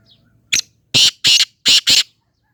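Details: A single harsh note opens, then after a pause the black francolin gives four loud, grating notes in two pairs, crisp and clear against silence.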